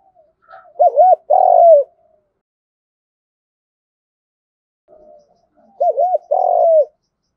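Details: Spotted dove giving a fighting coo used as a lure, in a Vietnamese lowland voice style: two bursts of low, hollow coos, each a pair of quick notes then a longer falling note, separated by silence.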